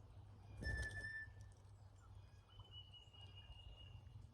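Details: Cowbirds at a backyard feeder during migration: a short harmonic, nasal tone lasting about half a second, followed by a thin, high, level whistle drawn out for over a second, over a low rumble.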